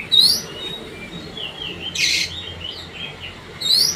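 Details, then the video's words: Kacer, the Oriental magpie-robin, giving pacingan song to stir other birds: sparse rising whistles at start and end, softer warbled phrases between, and a brief scratchy noise burst in the middle. "pacingan kacer bikin emosi"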